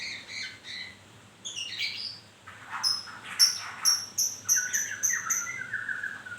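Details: White-rumped shama in moult, freshly shedding feathers, sings clear high whistled notes repeated in a steady series of about eight, preceded by scratchy lower phrases and followed by descending fluty notes.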